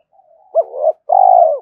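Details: Spotted dove in the morning, answering a rival, giving a short rising coo that slurs into a quieter note, then a long pulsing, quavering coo that drops off at the end.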